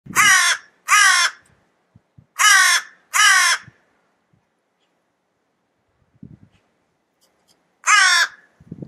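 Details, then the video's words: Crow cawing: harsh, rasping caws given in pairs, two pairs close together then a single caw after a long pause, with faint low thumps and rustles between calls. "crow sound"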